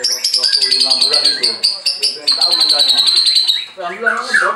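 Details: White-rumped shama from a farm in Anyer, Banten, Indonesia, song provoking rivals: long high trills of rapid, evenly repeated notes, slightly falling in pitch, broken by short pauses, with fainter chatter beneath.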